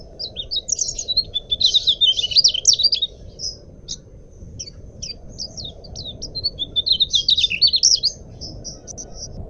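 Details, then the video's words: Mugimaki flycatcher singing, recorded as a clear lure or master track for cage birds; quick high chattering warbles come in two dense bursts with scattered thin whistles between them, above a constant low hiss. "suara burung sikatan mugimaki buat pancingan atau masteran jernih"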